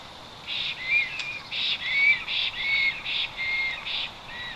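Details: Black stork in the Notecka Forest on 12 August 2022, calling loudly as it returns to the nest after two days away: a series of short, high, whistled and hissing notes, about one per second, over steady background hiss.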